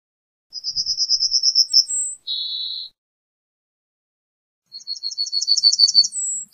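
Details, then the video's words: A Yellowhammer (Emberiza citrinella) sings a fast run of about a dozen thin, high repeated notes ending in a drawn-out note, then starts the phrase again after a pause. "Yellowhammer Song! Yellowhammer Call!"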